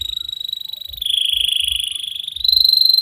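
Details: Canary in long, nonstop song used as a tutor recording for young canaries: a steady rolling trill near one pitch that dips slightly lower midway, then steps up again, with faint high overtones throughout.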